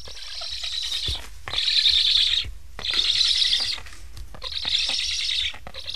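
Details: Transmitter-tagged Black stork young in an Estonian nest beg for food, parents leaving without feeding despite several visits. Quieter rasping hisses in swells of about a second, with longer pauses between them.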